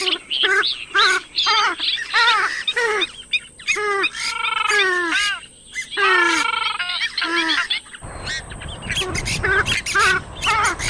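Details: Purple swamphen calling with repeated harsh, honking squawks and descending nasal notes for about eight seconds, then rough broadband noise takes over.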